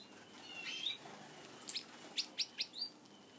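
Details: Several pet Gouldian finches at their favourite food: a faint thin whistle, then a short burst of four quick, high, clipped chirps near the end.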